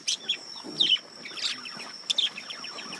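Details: Male budgerigars react to a lemon cucumber with rapid high chirps and scratchy chatter, a few bright notes clustered in pairs, over a faint constant high tone.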